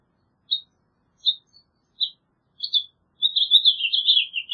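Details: House Finch (Haemorhous mexicanus) singing: four short, separate high chirps spaced under a second apart, then a fast, jumbled warble that wavers and slides slightly downward; a quiet, clean background with no other sounds.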